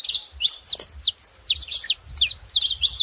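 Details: Saffron finches calling in company: a few loud, sharply upslurred and downslurred high notes, spaced out with brief gaps, plus soft low rumble.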